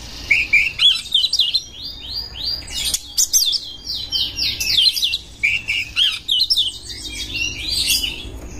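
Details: Oriental magpie-robin in breeding condition, singing to lure other birds. Long stretches of fast, varied whistles, trills and buzzy notes, broken by brief pauses, with a constant background hiss.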